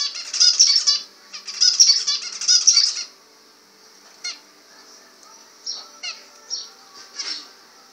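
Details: Zebra finches singing: three loud bursts of rapid, nasal, buzzy notes in the first three seconds, then sparse single short calls spaced about half a second apart.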